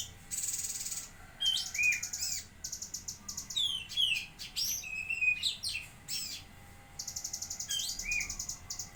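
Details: Cucak kinoi (lesser green leafbird) of Jambi sings busily: a buzzy hiss, rapid chip trains, sweeping whistled slurs and scratchy notes, closing with a fast repeated ticking run.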